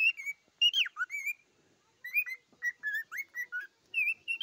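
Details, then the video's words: Cockatiel song with bright whistled phrases: a few quick notes including one sharp swoop downward, a pause of about half a second, then a new string of short, evenly spaced whistles that rise at the close. "попугай корелла поёт"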